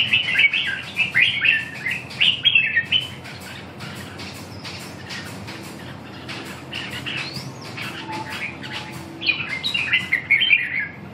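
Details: Red-whiskered bulbul singing: bursts of lively warbled, slurred whistles in a mid-high range open and close the passage, with a quieter stretch between. Steady background hiss and rapid clicking or rustling throughout.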